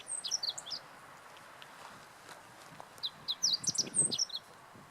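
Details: Meadow bunting singing at Teganuma in April 2017. Two short, rapid phrases of high, thin chirps and twittering notes, one at the start and one about three seconds later, over faint low rumble.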